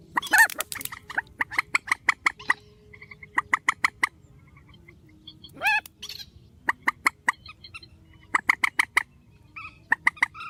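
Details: Grey-headed swamphen in a spliced strong-call track: an opening harsh squawk, then sparse clipped nasal notes, another loud squawk near the middle, followed by rapid bursts of notes.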